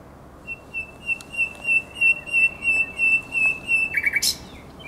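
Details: Common nightingale singing at night by the Żerański Canal, 23 to 24 April 2022: a long series of pure, swelling whistled notes on one pitch, about ten in a row, ending in a sudden harsh burst.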